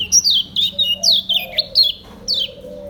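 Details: Lombok lemon-bellied white-eye kept caged, delivering ngejos selow song: six or seven crisp, high chirps, each sliding steeply downward, separated by short pauses over a faint low warbling background.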